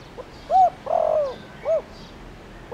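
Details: Lure spotted dove of the Thổ Đồng voice style calling to draw wild doves: a short mellow coo, a longer falling coo, then another short coo, over light background noise.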